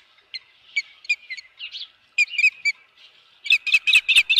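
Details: Osprey at a ranch nest with a fish, 24 April 2018, 4:19 PM, giving short, sharp whistled chirps in irregular clusters, then a fast, insistent series of loud piping notes at the end.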